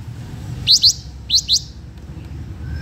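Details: Blue-winged minla lure song used to attract wild birds: two pairs of quick, sharply rising whistled notes, the pairs about half a second apart, over a faint low hum.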